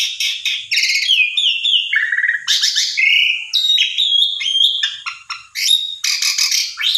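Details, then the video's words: An Asian pied starling sings a fast, unbroken, loud medley of clear whistles, slurred notes and harsh chattering bursts. The song is meant to provoke a pied starling that has stopped singing. "Coba Pancing Dengan Jalak Suren Ini !! Respon Ngotot Gacor Isian Komplit"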